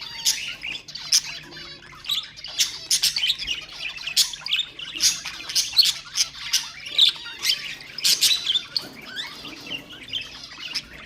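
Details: Budgerigars, kept as pet birds, singing to stimulate other birds: a dense, continuous chatter of scratchy squawks, buzzy notes and short high chirps, bursting in quick clusters several times a second with brief pauses.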